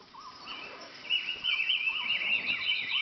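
Flavescent bulbul giving bright, wavering, slurred notes that rise and fall quickly, growing louder partway through, over a soft background hiss.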